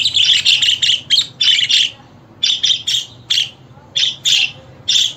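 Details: Budgerigar chirping intended to make pet birds sing and answer: a rapid burst of bright, high chirps in the first two seconds, then a pause, then more spaced single and paired chirps.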